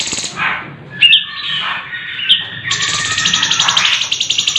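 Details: Sooty-headed bulbul tutor song with varied material: a descending whistle, then clear whistled notes with sharp clicks, followed by a long rapid rolling buzzy trill held high to the end.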